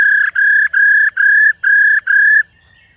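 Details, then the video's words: Wild-caught old female laughingthrush calling to stimulate males to sing: six loud, even whistled notes, each about a third of a second with short gaps, steady in pitch and rich in overtones, then quiet. "KHƯỚU MÁI RÒ GIÀ RỪNG VIP/Kích Trống Hót Căng"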